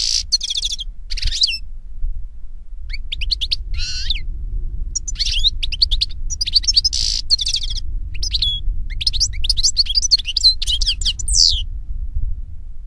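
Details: Wild European goldfinch (Carduelis carduelis) song in nature, a long run of quick, liquid twittering notes in short bursts with brief gaps, high and jingly throughout, over a soft low background rumble.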